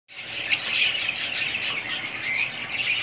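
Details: Family group of budgerigars in steady high warbling chatter, overlapping chirps and tweets running continuously with a brief louder squeak near the start.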